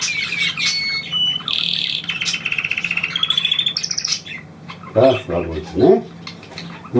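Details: Pet bird trilling at its owner's request: brief whistles and a dense buzzy trill for about four seconds, then a man speaks German over quieter chirps.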